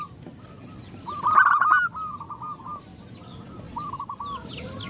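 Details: Zebra doves, a female calling to males and the others answering; a short loud burst of rapid rolling coos near the middle, with fainter overlapping coo phrases from other doves and high small-bird chirps behind.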